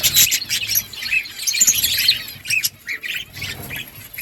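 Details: Budgerigar colony in breeding, with overlapping high squawky chirps and trills in a busy chatter, louder early on, then spaced short chirps.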